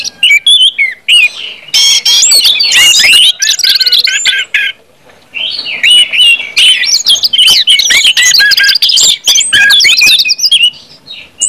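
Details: An orange-headed thrush delivers loud ngeplong song, aimed at rousing other birds to sing: clustered bursts of varied whistles, buzzy chatter and looping slurs, separated by a few short quiet breaks.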